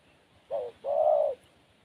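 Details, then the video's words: Wild spotted dove giving two low, hollow coos: a short first note, then a longer, steady, louder second note about half a second long, over quiet background. "Burung Tekukur Liar"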